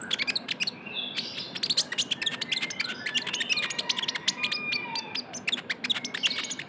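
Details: Young Van Hasselt's sunbird (kolibri ninja) as a lure sound: an unbroken fast chatter of very high clicking chips with occasional thin drawn-out whistles.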